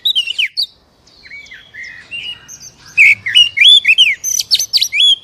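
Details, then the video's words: Oriental magpie-robin song played to prompt a captive bird to sing: varied whistled phrases, slurred rising and falling notes and sharp high chirps in quick succession, with a short pause near the start. "SUARA PANCINGAN BURUNG KACER AGAR CEPAT BUNYI DAN GACOR"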